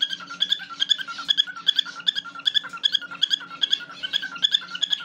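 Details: A tame cockatiel singing and talking, chattering in bright, squeaky chirps repeated two or three times a second.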